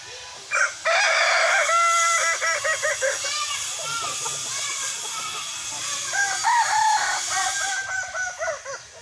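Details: Kukuak Balenggek rooster crowing at a sparring session: a long crow of many rapid, tiered syllables, bright and harmonic, rising and falling in quick repeated steps for about seven seconds, with faint voices in the background.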